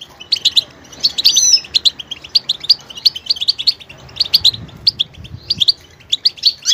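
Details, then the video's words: Goldfinch pouring out a steady stream of crisp, high twittering syllables in quick succession, each note short and bright, with little pause between phrases. "motivational ringtones that will take you on a journey with goldfinch"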